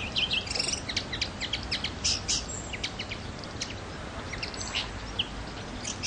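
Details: Common linnet on Pantelleria island, 9 January 2011, giving scattered bursts of high twittering chirps and short whistled notes, denser early then sparser, against steady low environmental noise.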